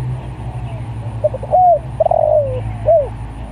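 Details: Spotted dove calling other doves with one phrase: faint stuttering notes, a rising-falling coo, a long quavering coo sliding downward, then a short final coo, above a low droning background.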